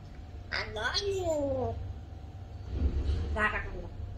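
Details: A male pet African grey parrot (Psittacus erithacus) talks in a clear, human-like voice: a short phrase with a gliding, falling tone, then a brief word after a pause, over a low hum.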